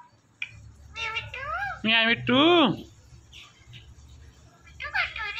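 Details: Talking Indian ringneck parrot mimicking words: a run of rich, wavering, speech-like syllables, two loud arched squawky notes in the middle, then a final burst, over a low indoor hum.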